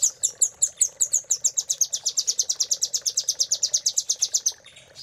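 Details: Velvet-fronted nuthatch master song in the Cililin fill style, used to train caged birds: a fast run of sharp, high chirps repeated about six times per second, steady for four seconds and then stopping abruptly.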